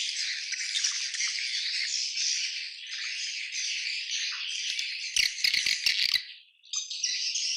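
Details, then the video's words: Swiftlets in a colony giving massed high chirps and twitters, a thick unbroken chorus, interrupted near the end by a short run of sharp clicking taps and a brief dip before the chatter resumes. "SUARA ASLI KOLONI WALET"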